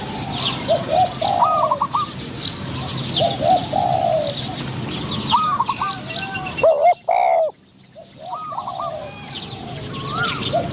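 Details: Spotted doves in a decoy trapping session, a caged decoy luring wild doves with a medium-pitched wild bird answering. Phrases of several hooked coos, each ending in a longer drawn note, repeat every two to three seconds, with chirping birds and a brief loud knock.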